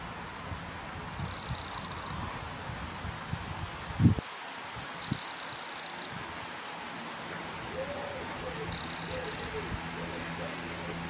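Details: A Eurasian wren calling from on top of a fence post gives three dry, high, rattling bursts about three to four seconds apart, each under a second, over steady wind rumble and a single thump.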